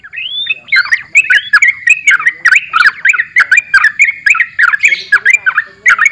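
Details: Continuous chattering song from a sooty-headed bulbul, opening with a rising whistle, then a steady stream of quick, warbled and slurred notes at an even pace with sharp clicks mixed in.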